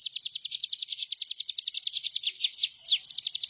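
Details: Bar-winged prinia song used as a master track for songbirds: a steady fast trill of crisp descending high notes, roughly seven per second, with a brief stumble near the end before the trill resumes.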